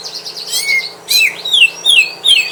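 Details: Greater green leafbird at home facing a rival, testing its spirit: a short chatter of high notes, then four loud downslurred whistles in quick succession.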